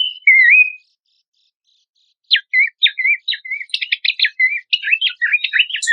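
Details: Horsfield's babbler song used for songbird training: one wavering whistled phrase, a pause, then an accelerating stream of short sharp notes and twittering chatter.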